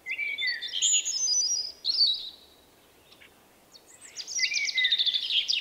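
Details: Loud song of a shy male Common blackbird with an unusual individual pattern, March 2024: a fluted phrase climbing into high sweeping notes, a quiet gap, then a rapid high twittered series over a lower whistle.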